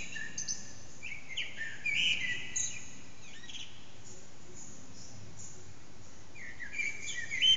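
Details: Early morning Eurasian blackbird song near 4:30am, heard from an unseen bird in an echoing backyard on an HTC Desire phone: two separated mellow whistled phrases with a long quiet pause between them and faint background hiss.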